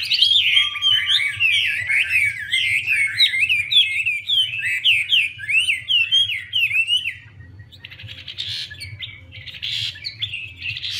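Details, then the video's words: Chinese hwamei, a dancing female stirring the male to sing hard; a rapid flow of varied zigzag whistles for about seven seconds, then quieter scattered harsh bursts. "Họa mi mái múa xòe thúc trống nhanh lên lửa"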